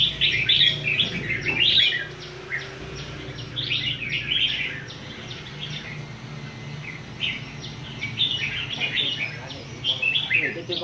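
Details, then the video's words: Several red-whiskered bulbuls singing together on a rack pour out quick, bubbly whistled phrases in bursts every second or two, overlapping, over a low background hum and faint voices. "chao mao hot hay"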